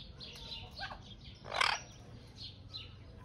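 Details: Chestnut-fronted macaw in Germany giving one loud, harsh, rasping screech lasting about a fifth of a second, with fainter high chirps and twitters from other birds before and after it.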